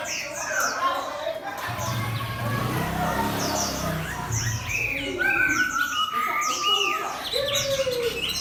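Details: Hwamei placed against a fighting bird, giving scattered loud whistles and slurred notes, with a long even whistle and a falling note near the end, over a background hum and mixed chatter.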